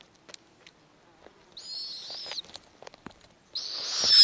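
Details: A female snowy owl feeding nestlings on the nest, with pecks appearing in the last egg. A rasping squeal followed by scattered clicks and rustles, then a louder, rougher squeal that is cut off at the end.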